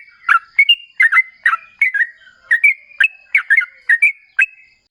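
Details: Sooty-headed bulbul in vigorous ropel singing, used as a lure so other bulbuls reply: repeated bubbly whistled phrases mixing low gurgles and higher clear notes, in a steady rhythm.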